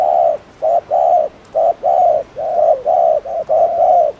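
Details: Caged spotted dove giving a fast cooing sequence meant to rouse other doves: steady low hollow coos in a near-continuous run, each note slightly longer than the last, about one per second.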